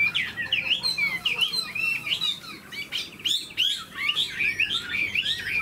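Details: Song of a tame caged Chinese hwamei, spread-tailed and flaring its wings in eagle-style display: quick wavy whistled notes repeated in fast bursts, a brief pause near the middle, then another run of looping phrases.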